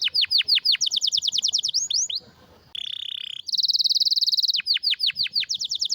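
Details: Canary delivering a forceful, unusual song with quick downward-sweeping notes repeated in rapid series, a brief pause, then a steady whistled tone and a dense high buzzing roll before more sweeps.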